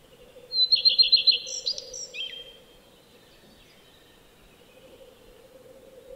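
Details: Song of a common redstart: a pure high introductory note followed by a rapid series of five or six repeated notes and a scratchy, varied ending. Silence follows, with a low constant hum underneath.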